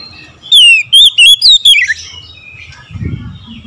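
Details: Morning song of an Oriental magpie-robin: five loud, sweet whistled notes in quick succession, rising and falling, the last one sliding downward, then faint chirps and a low rumble.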